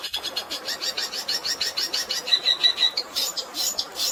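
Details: Fighting song of a long-tailed shrike, filled with sparrow-style notes, over a background of flowing water: quick, rather uneven chirps about three per second, with a brief thin whistle midway and harsher notes at the end.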